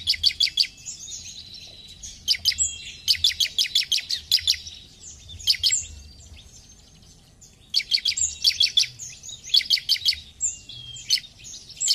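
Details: Bar-winged prinia, used to stimulate other prinias to sing, gives a loud, high, rapid chattering song in repeated bursts of sharp notes, each about a second long, with brief pauses between.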